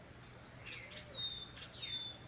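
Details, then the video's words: Spring song of mockingbirds heard through jasmine bushes, a few faint downslurred whistles and a thin, sustained high note, set against a constant low hum. "Una alta nota de las calandrias a traves de mis jazmines."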